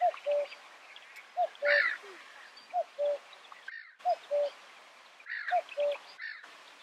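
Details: Common Cuckoo (Cuculus c. canorus) in the Camargue, France, in May 2018, giving its two-note falling 'cu-coo', repeated about every one and a half seconds, with fainter chirps of other birds behind.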